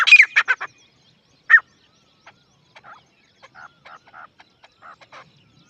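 A grey francolin gives a burst of loud, harsh, rapid notes, then a single sharp note, followed by softer, scattered clucking calls.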